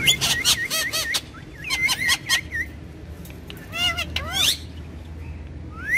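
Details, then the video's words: Two talking parrots giving bursts of chirpy, whistled notes with quick rising and falling sweeps, clustered in rapid runs with short pauses, ending on a long rising whistle over a low background hum. "Two Super Cute Talking Parrots"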